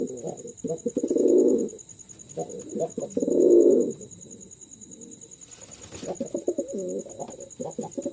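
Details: A male Jalali domestic pigeon, one of a pair, gives deep, rolling coos in low, throaty bursts of about a second.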